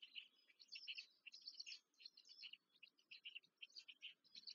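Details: Nestling black storks beg during feeding, Łódź, Poland, 14 May 2023. High thin chirps pour out in clustered runs of several notes, briefly easing off between runs, with quiet low rustling behind.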